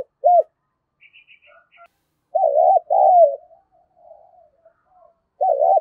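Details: Spotted dove calling to incite fighting and lure wild doves: short hooked coos and a paired warbled-then-falling coo, with faint high chirps from another bird in the background.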